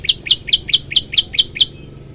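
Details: Lively, varied tailorbird song, a steady run of eight loud, high, clipped chirps repeated about every quarter second, each with a short lower note before a bright peak. Only a soft background hum is heard.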